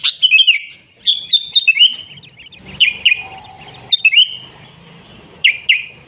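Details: Sooty-headed bulbul singing in the wild in lively 'gacor' style: chains of chirpy descending notes with gaps, plus a faint steady tone and low background hum.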